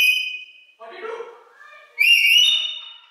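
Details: A pet rainbow lorikeet that asks what its owner is doing whenever they leave talks in a shrill, nasal voice: a whistled note, then a raspy few syllables, and a loud rising question that sounds like "what do you do?"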